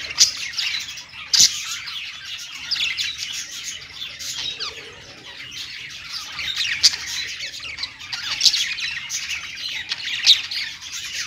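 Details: Pet budgies perched and singing, a long continuous chattering warble of high squeaks and buzzy trills, punctuated by several sharp louder calls.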